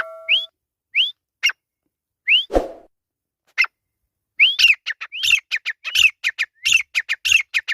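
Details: Grey francolin in the jungle: a few separate rising whistled notes, a thud, then an accelerating series of sharp whistled calls.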